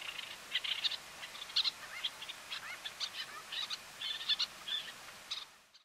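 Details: Little terns in the Camargue, France, in May 2018, giving quick, high, sharp chirping notes in a near-continuous scatter, several calls overlapping against a faint outdoor hiss.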